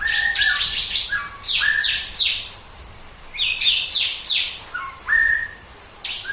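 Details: Bar-winged prinia (ciblek kristal) in full song, a lively run of sharp descending whistled notes and chirps in rapid bursts, pausing briefly between phrases; its song is said to set other birds singing along.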